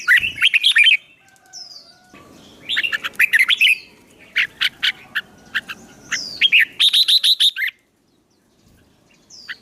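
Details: Fighting-song training rouses a freshly caught songbird: repeated rushes of fast, sharp whistled notes, about four phrases with short gaps, ending in near silence with a thin faint whistle.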